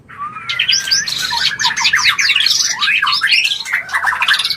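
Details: White-rumped shama mating call, played to stimulate breeding: a long rising whistle opens, then a dense, loud jumble of rapid trills, chirps and zigzag whistled notes runs without a break.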